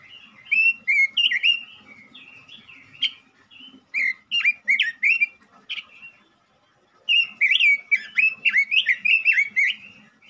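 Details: Male robin singing vigorously, used to lure and excite other robins: long runs of rich whistled warbling with rising and falling notes, a brief near-silent pause around six seconds, then another dense, lively burst.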